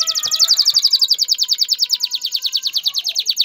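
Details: Courting male canary, singing to stimulate a female to mate and build a nest, delivers a rapid, very regular high trill of about a dozen notes per second over a soft, steady low whistle.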